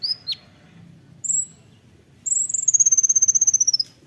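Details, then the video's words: Olive-backed sunbird song in the rapid nembak rapat style, recorded as training material for songbirds: two sharp high notes and a thin whistle, then a quick trill of clear notes slowly falling in pitch. "masteran kolibri ninja (konin) nembak rapat"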